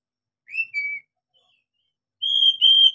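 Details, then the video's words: Oriental magpie-robin song for prompting young captive magpie-robins to sing: two short pure whistles, the first slightly rising, then a pause and two longer, higher steady whistles, against a silent background. "SUARA KACER buat PANCINGAN KACER PEMULA agar cepat gacor"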